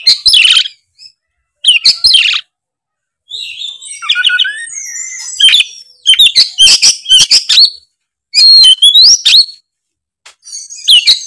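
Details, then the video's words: Oriental magpie-robin (kacer) in 'gacor ngeplong' song: harsh squawky notes and separate bursts of high whistles and buzzy trills, broken by short silences, with fast rising and falling slurs. "suara kacer gacor full ngeplong"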